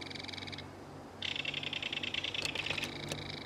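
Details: A belted kingfisher feeds its baby in a mud-bank nest. A short rattle is followed by a pause, then a longer, rough chattering run punctuated by sharp clicks.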